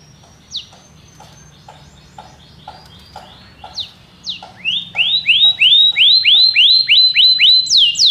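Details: Belgian canary song starts quietly with soft, scattered notes, then builds into a loud series of repeated upward-sweeping whistled notes, about ten in quick rhythm.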